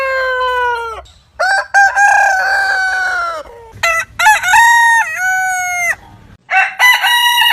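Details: Rooster crowing, one of many heritage breeds: a sequence of harmonic-rich crows, each a drawn-out, slightly wavering cry with a falling end, separated by short gaps, with a final crow starting near the end.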